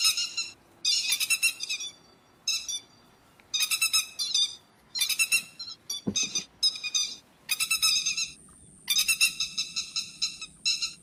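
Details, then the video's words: Grey-headed lapwing lure calls for night net trapping arrive as grating, rapid-fire bursts repeated in irregular groups with short silences between, a faint steady high whine entering near the end. "Tiếng chim te te vàng mồi cực chuẩn mới nhật không tạp âm, Tiếng chim bẫy lưới đêm"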